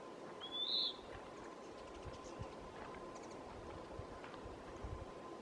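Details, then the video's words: A Western wood pewee at Lawrence E. Wood Picnic Area gives one short, burry, slurred high note under half a second long, followed by steady background hiss and faint distant chirps. "Western Wood Pewee (Contopus sordidulus) Calling Singing"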